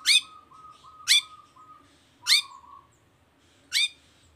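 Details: Long-tailed shrike, played to prompt other shrikes to sing: loud, harsh upswept notes at intervals of about a second, linked by a low, steady, flat whistled tone.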